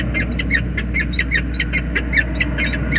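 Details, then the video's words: Wild peregrine falcon pair meeting at their nest on the James River Bridge, USA, on 20 February 2022, female arriving to the waiting male; harsh, grating chupping notes repeated rapidly and unevenly over a steady low mechanical hum. "sokół wędrowny - Czułe spotkanie w gnieździe"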